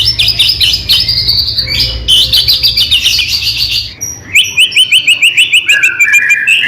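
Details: White-rumped shama (murai batu) in loud, full song used to prompt other shamas to sing: varied high whistles and buzzy trills, then a fast run of sharp repeated notes, several per second, with low background hum early on.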